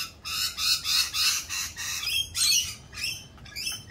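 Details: Rainbow lorikeets during mating season, loud while performing their mating dance; rapid harsh rasping squawks, several per second, loud then tapering into higher chatter.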